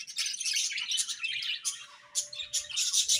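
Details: Budgies chirp in the morning with a steady stream of scratchy, twittering high chatter, broken by a short lull and then sharp clicks and renewed chirps, a faint steady tone running underneath.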